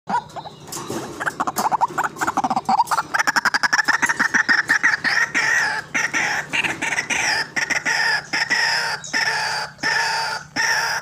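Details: White-breasted waterhen calling vigorously, a recording used to lure birds for trapping: harsh croaking notes that speed up into a rapid stuttering run, then settle into longer grating, nasal calls repeated with short breaks.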